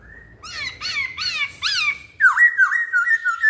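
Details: Lure song from a masked laughingthrush. Three harsh, buzzy arched notes over low rumbling are followed by a string of loud, dipping, liquid whistles that repeat quickly.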